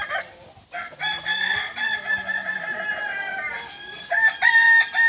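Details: Kukuak Balenggek chickens at a joint training session in Ampang Kualo, Solok city, Indonesia: a long, drawn-out rooster crow with stepped, tiered sustained tones, other crows overlapping, then a sharp loud crow at the end.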